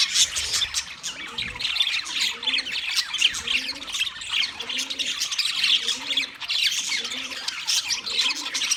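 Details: Constant high twittering and scratchy warbles from a flock of wild budgerigars, with a low, repeated cooing phrase returning about once a second in the background.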